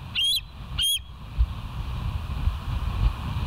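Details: Bald eagle at the West End nest on 29 September 2023 around 7:05, recorded by a live wildlife camera: two sharp, thin, high-pitched piping notes about half a second apart over steady low wind rumble.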